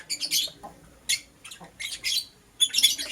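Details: Lovebirds, a green Personata and a yellow pastel pied, chirping in the morning: shrill, raspy chirp bursts come in bunches about every half second to second, separated by brief quiet gaps.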